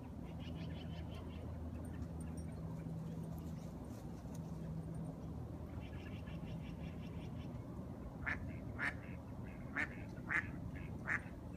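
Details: A duck calling at the end of the day: a faint run of quick chattering notes early on, then a series of louder, harsh, evenly spaced quacks over a steady low hum.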